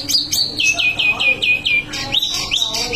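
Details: A wambi mini sings a continuous rolling song of high downslurred whistles repeated about five times in a row, then rising upslurred notes, with a quiet steady hum beneath.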